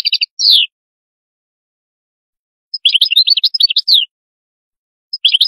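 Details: Canary song in short bursts: a quick run of high chirps, then a downward-sweeping trill, a long silence, and a dense sequence of rapid twittering notes, ending on another brief chirping phrase.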